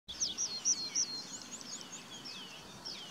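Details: A tree pipit at Budimír, Slovakia, gives thin, high notes: a quick run of sharp chips, then several slurred notes dropping in pitch, over soft outdoor hiss.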